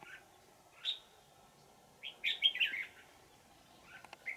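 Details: Red-whiskered bulbul, a wild old forest bird caught using a decoy on 20 December 2018, gives bell-toned twisting song: a lone clear note, then a fast tumbling warbled phrase, with a soft constant hum behind.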